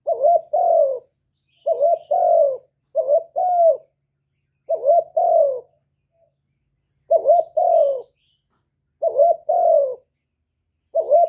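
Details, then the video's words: Spotted dove calling to lure wild doves, with calling, urging, cooing and purring styles, recorded clean without background noise; soft low hooting coos in two- or three-note groups, repeated about every two seconds with brief silent gaps. "Cu gáy hạp bổi GÁY GỌI + THÚC + GÙ + BO kích bổi hiệu quả, cu đất gáy, tiếng cu cườm gù, cu bo"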